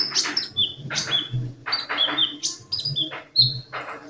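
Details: Sunbird singing actively, giving bright high chirps and short whistled notes in quick, irregular bursts, some sliding downward, over a steady low hum.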